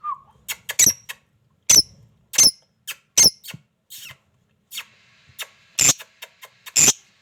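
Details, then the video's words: Shrill, broadband squeaks and chirps from a lovebird, given irregularly over seven seconds, some single and some doubled, with brief quiet gaps between bursts. "love bird||sound magical"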